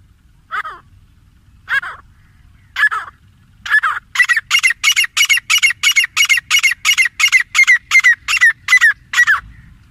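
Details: Grey francolin pair: a few spaced harsh notes build into a fast, accelerating run of loud rasping calls, about three per second, that ends abruptly.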